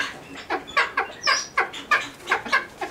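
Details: Cheer pheasant kept in a pheasant nursery calling in rapid grating notes, roughly three per second, evenly spaced and loud throughout.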